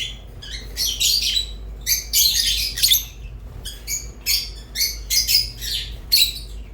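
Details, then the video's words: Rosy-faced and Fischer's lovebirds calling in separate bursts: about a dozen short volleys of shrill, scratchy chirps, each lasting under a second, broken by brief silences. "تغريد ولا أروع | روز و فيشر غندور بصوت ساحر وممتع"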